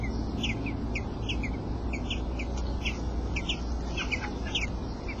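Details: Eight-day-old robin nestlings being fed by the male give quick, high-pitched chips in rapid succession, some slightly rising, against continuous low-pitched hum and rustle.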